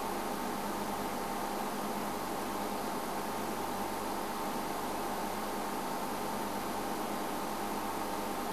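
Steady broadband hiss like a fan or engine fills the whole recording, with no animal calls audible.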